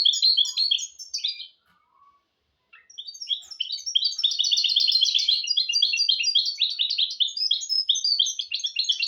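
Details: Hybrid goldfinch-canary (mule) song for teaching goldfinches and canaries: a burst of twittering, a short silence, then a sustained, rapid flow of bright chirping notes and trills.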